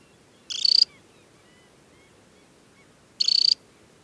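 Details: Early July on Hardangervidda mountain plateau, Norway: an adult Temminck's stint with leg bands at Tinnhølen lake utters two sharp, rapidly pulsed high trills under half a second long, nearly three seconds apart.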